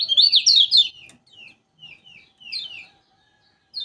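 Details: A Lombok kecial kuning opens with a loud, fast series of high slurred notes, then gives softer scattered downslurred whistles and one more short twittering phrase.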